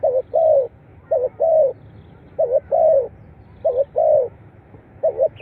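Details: Spotted dove call played to encourage captive birds to sing. Loud, closely repeated phrases of two short bubbling coos leading into a longer descending coo, four phrases in quick succession over low hiss.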